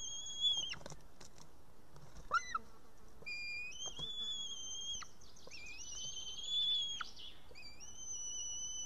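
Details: Young female white-tailed eagle chick on an Estonian nest camera, 8 June 2018, evening. After failing to tear apart a live fish, she calls for feeding with thin, drawn-out, high whistles, some wavering and rising, amid faint background noise.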